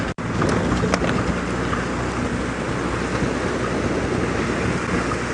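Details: Steady broadband hiss like heavy rain, with a low rumble of an idling vehicle and no animal calls.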